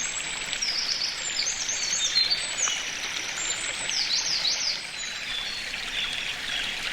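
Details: Eurasian wren singing in May 2019 at Karuizawa Wild Bird Forest, Nagano, Japan, recorded with a binaural microphone: high, rapid, tumbling trills and sharp notes over the steady rush of a stream.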